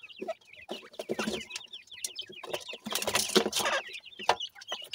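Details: Teetar chicks feeding, calling with quick high peeps that curl downward, repeated in rapid overlapping runs amid loud scraping and pecking clatter.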